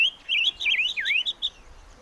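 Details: A short, sweet whistled phrase from a chim ngũ sắc, sliding through wavy rising and falling notes, with a deep dip in the middle and two brief bright notes at the close.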